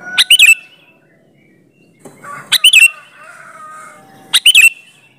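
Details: Sooty-headed bulbul singing vigorously as a lure to prompt other bulbuls to answer: three short phrases of fast, liquid, upslurred notes, spaced about two seconds apart, with faint background chirps.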